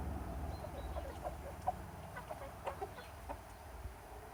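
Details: Chickens and roosters outdoors in summer, giving a loose run of short, low clucks at an uneven rhythm, with a faint steady hum underneath.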